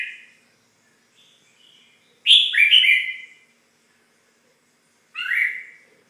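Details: A red-whiskered bulbul gives soft short chirps, then a loud bubbly double call, and after a three-second pause another sharp swooping note; close and clean with no background noise.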